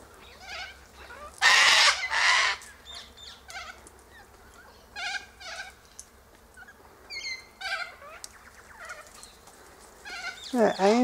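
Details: Sulphur-crested cockatoos feed on silky oak seed pods high in the tree. Two loud, raspy screeches come early, then a series of shorter squawks and ringing calls, and a final harsh outburst at the end.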